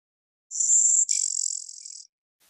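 A Blue-winged Warbler gives a two-part buzz: a thin, high, even buzz, then a longer, rougher, lower buzz, the whole about one and a half seconds.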